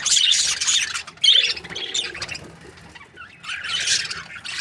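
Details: Budgerigars in breeding pairs: loud bursts of high chattering chirps, then a quieter stretch of soft twitters before another chorus of scratchy warbling begins.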